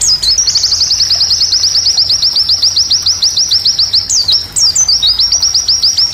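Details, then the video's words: White-eye tutor song recommended for competition classes G12 and G16: a long fast series of high, downslurred chirps, about seven per second, broken near the four-second mark by a few sharp, rising twitters before the run resumes. "Recomendasi Masteran pleci Untuk Kls G12&G16"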